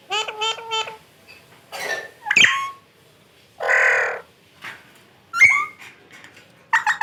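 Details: Pet parrot talking: a jumble of squeaky whistles, quick repeated chirps, harsh raspy bursts and sharp clicks with silent gaps between them.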